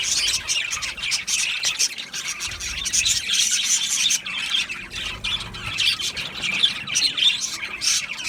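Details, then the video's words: Australian budgies in chorus: scratchy squawks and rapid chirps run on without a break, with brief quieter dips between denser bursts. "Australian Budgies Sounds | Beautiful Budgies chirping Sounds"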